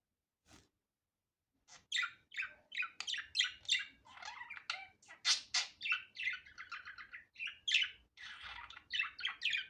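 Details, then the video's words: Budgerigar, natural unedited sound: a steady run of chattering, chirpy notes and short scratchy squawks, packed closely and mostly high-pitched, after a near-silent first second and a half. "Muhabbet Kuşu Doğal Sesi"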